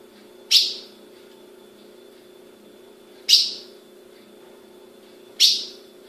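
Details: Female ultramarine grosbeak (azulão), captive-bred in Brazil, calling: three sharp, high chips spaced about two to three seconds apart, each quickly fading, over a steady low indoor hum.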